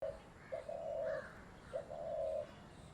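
A spotted dove gives low, soft coos: a short note, then a longer hollow drawn-out coo, repeated twice in a steady phrase.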